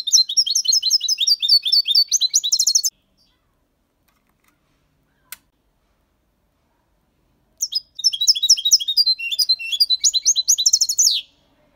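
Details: Young goldfinch of six months singing clean Malaga copy song, used to stimulate young birds: two long bursts of dense, tinkling high twitter separated by about five seconds of quiet.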